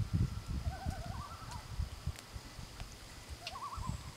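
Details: Loon answering other loons; wavering tremolo phrases, quavering up and down in short bursts, over heavy low wind rumble.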